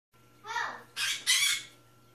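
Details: Captive pet African parrot, male, learning to talk, utters three short, husky squawk-like syllables in quick succession, the later two loud and broadband, like a repeated learned word, with a steady low hum underneath.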